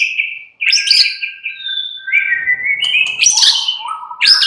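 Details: White-rumped shama kept in a cage singing steady whistled notes that rise in steps, then louder buzzy and rattling phrases near the end.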